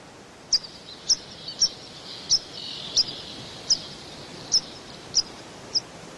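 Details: Dunnock (Prunella modularis) on Île de Batz, Finistère, France, in June 2012, giving nine thin, high piping notes at an uneven pace of roughly one every two-thirds of a second, over a steady hiss of outdoor background noise.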